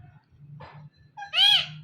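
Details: Pet parrot, hand tame and talking joyfully, gives a soft breathy sound and then one loud word in its own voice: a nasal, two-part utterance ending strongly. A low background hum runs throughout.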